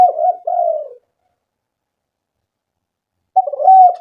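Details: Spotted dove coos meant to entice doves to call: two low cooing notes, the second longer and falling, a quiet gap over two seconds, then a fresh loud phrase opening with a short note and a long coo.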